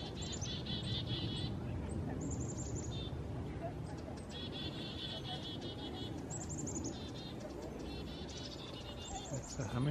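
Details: Wild chickadees buzz near a roosting saw-whet owl in winter in Richmond, BC, Canada. Quick series of high, buzzy notes come in bursts separated by pauses, over low, constant ambient rumble.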